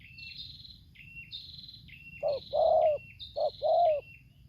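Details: Tekukur, the spotted dove, from Lampung: decoy versus wild bird, tarik akar selang nguku style. High stepped whistles from another bird run steadily, then two loud hollow coo phrases, each a short note and a long coo.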